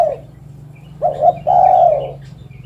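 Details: A spotted dove gives a short double coo, then a long, smooth, gently falling coo, with a continuous low hum in the background.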